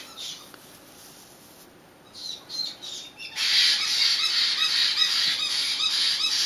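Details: Young caiques in brooders screaming at night for food: a few scattered harsh squawks over a quiet background, then a sudden burst of loud, continuous raspy screeching from several babies, pulsing rapidly for the last three seconds.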